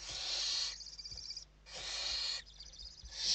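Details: Inside a Western barn owl nest in Spain at evening feeding time, 29 November 2023; two long rasping hisses with fluttering tails, a third starting at the end.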